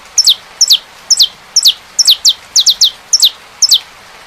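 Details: Saffron finch song with rain sound: loud, bright notes each starting with a clipped high tick and dropping sharply, in pairs and singles about twice a second over soft hiss.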